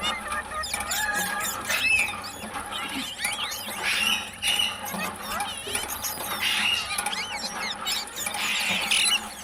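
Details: Parrot voice: dense, high, twisting chirps and squeaks that tumble quickly one after another, with speech-like warbles and faint hum beneath.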